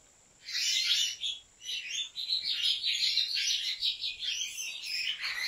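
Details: European goldfinch from a Turkish breeder, singing a continuous, lively twittering song of rapid high chirps and trills with a few buzzy notes. It starts after a brief quiet opening.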